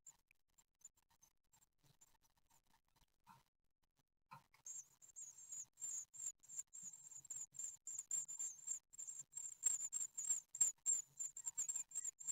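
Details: Nest webcam in Ostwald, 15 June 2020: great tit chicks on their ninth day during a feeding. Near silence with soft taps for four seconds, then the brood bursts into rapid, insistent, piercing high squeaking that grows louder.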